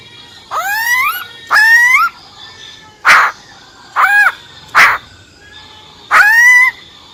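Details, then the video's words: Female silver-eared laughingthrush, wild-type voice used to excite males: harsh, nasal, upslurred calls mixed with short raspy bursts, spaced about a second apart. "Tiếng Chim Khướu || Khưới Mái Bạc Má"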